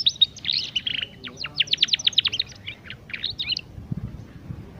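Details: Juvenile canary learning to sing, used to lure young canaries into song. A high, thin note leads into a lively, fast series of sharp falling chirps and short trills, then silence with low background thumps.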